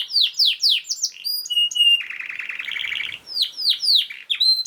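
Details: Canary song used as a master recording to train other canaries and prompt lazy singers to sing: fast, dense phrases of descending whistled notes, a steady high note, then a rapid buzzy trill before more sweeping downward notes.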